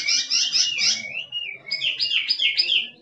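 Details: Wild Chinese hwamei in loud song: rapid, rich, warbled phrases of repeated high notes, with a gliding whistle in the middle, delivered continuously and vigorously.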